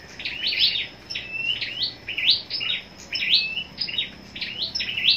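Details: Caged fighting-type scarlet-backed flowerpecker (sâu đỏ đá) kept for singing contests, giving high thin twittering phrases of sharp rising squeaks, repeated about every second, steady high whine behind.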